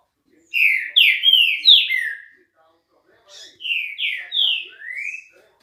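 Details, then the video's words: Clear green-winged saltator song: a run of four loud, overlapping slurred whistles, then a pause and a second phrase of three notes ending in a long rising whistle, in otherwise quiet surroundings. "TRINCA FERRO ,os melhores Cantos reunidos nesse vídeo"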